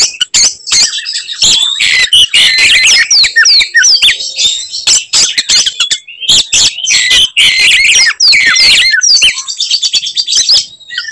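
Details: Oriental magpie-robin in fighting song, provoking other magpie-robins: a continuous stream of loud harsh buzzes, clicks and whistled sweeps for over ten seconds, with barely any pause.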